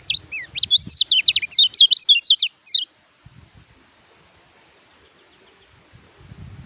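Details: Oriental white-eye song: a burst of loud, rapid high twittering and tumbling chirps lasting under three seconds, followed by near silence with faint low rumbles.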